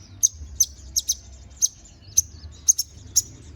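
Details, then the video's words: Konin bird singing energetically: sharp, very high, clipped chirps repeated roughly every half second, some doubled, steady and insistent, over a quiet low background rumble. "MASTERAN BURUNG KONIN GACOR NGOBRA FULL ISIAN!"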